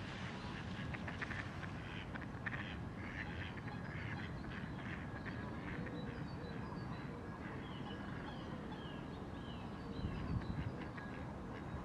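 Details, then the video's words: A reunited pair of great crested grebes, already nest building and courting, giving harsh, nasal calls in quick repeated bursts, densest in the first half and fading later, over a steady low rumble of background noise. "Great Crested Grebe pair courting"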